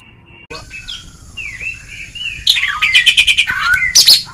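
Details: Oriental magpie-robin in ngeplong song style, used as a training recording to coax a lazy bird into singing: soft slurred whistles at first, then a loud burst of rapid, harsh, chattering notes mixed with ringing whistles.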